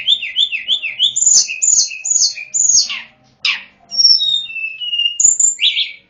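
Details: Sunda robin song used as a lure for wild birds: quick series of high whistled notes slurring downward, then harsh rasping bursts and clear level whistles at varied pitches.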